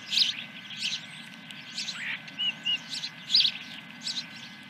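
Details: Osprey at a ranch nest on 10 July 2021, morning, first fish: spaced high chirps in small bursts, plus a couple of brief clear whistles, over a low hum.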